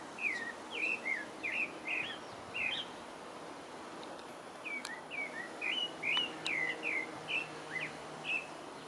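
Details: Pale-breasted thrush (Turdus leucomelas) singing in French Guiana: two bursts of quick whistled slurs, roughly two notes per second, separated by a short pause, with soft hiss and faint clicks.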